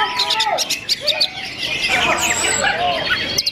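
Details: Greater green leafbirds in a simulated song contest: several birds sing over one another in a dense, rapid song of chattering chirps, sharp whistles and slurred notes, with faint voices behind.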